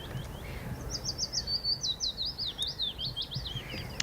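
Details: In bright but chilly spring weather on 24 April 2016 at Summer Leys, a Willow Warbler sings from the treetops while few leaves are out: a soft, sweet phrase of quick whistled notes sliding gently down the scale over about three seconds, against faint outdoor rumble.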